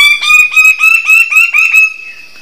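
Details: Bird-of-paradise giving a loud, rapid series of about eight nasal, harmonic-rich notes, each slightly upslurred and sounding close together, the run rising a little in pitch before fading away in a trailing note.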